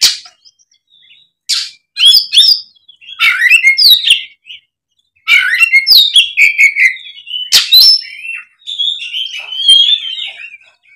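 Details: Oriental magpie-robin in a fighting song: loud varied phrases of sweet whistles, rising and falling notes and harsh chattering bursts, broken by short pauses, clear and close with no other sounds.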